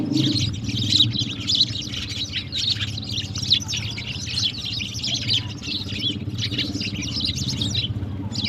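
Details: Sparrows drinking and playing with water in the morning give constant bright, scratchy chirps from many birds at once, layered over a persistent low droning hum.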